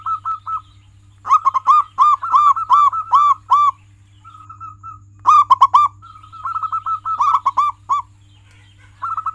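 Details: Tutor song of a prolific local zebra dove, played to coax pet doves to sing: short repeated coos break into fast runs of bright, clipped cooing notes, then pauses and resumes in lively bursts. A faint low hum lies underneath.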